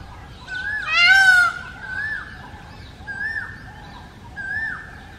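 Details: Indian peacock in India: a loud, ringing honk is followed by three shorter, quieter nasal calls about a second apart, with faint higher chirps from small birds in the background.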